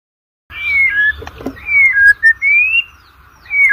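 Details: White-rumped shama giving drawn-out whistles, used to lure competition birds into song: smooth sliding notes, some rising and some falling, with a faint click in between.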